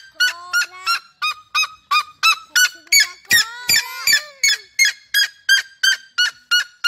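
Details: Loud rhythmic yelping of a red-legged seriema, about three harsh notes per second, with a second bird's lower, sliding calls overlapping in the middle of the series.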